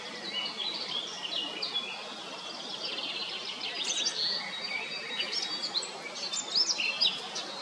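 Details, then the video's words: ['Eurasian blackcap in song: a long continuous warble of quick varied notes, with brighter whistled phrases near the middle and end, set against steady rural background noise.'] "Zwartkop zingt"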